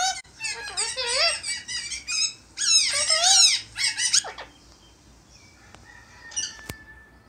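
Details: Rescued pet Indian ringneck parakeet talking to a friend indoors: rapid, squeaky, speech-like chatter in quick repeated syllables over about four seconds, then quiet with a faint whistle and a click.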